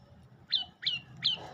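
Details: Olive-backed tailorbird singing; three sharp, high whistled notes, each dropping quickly in pitch, repeated about every 0.7 seconds over a low background hum.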